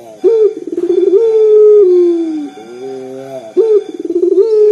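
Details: Local turtle dove, loud and deep, kept to make other birds sing: a quick rising note, a rapid pulsing roll, a long level coo sinking at the end, then a soft rising note and the rolling start again.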